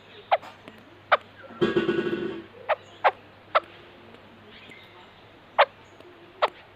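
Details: White-crested laughingthrush giving short, sharp chipping notes spaced irregularly over several seconds, about eight in all, with one harsh, buzzy, nasal burst of under a second near the start; a low steady hum underneath.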